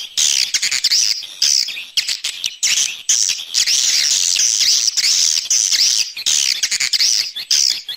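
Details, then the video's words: Swiftlets in an external sound set, giving a fast, shrill chatter of looping whistled notes, repeated in bursts separated by brief pauses. "Free Swiftlet External Sounds"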